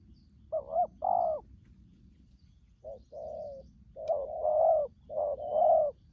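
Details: Spotted dove decoy, wild-caught, delivering urgent 'thúc gù' cooing: uneven runs of deep, throaty coos, some short and clipped and others longer and swelling, with a faint low hum behind.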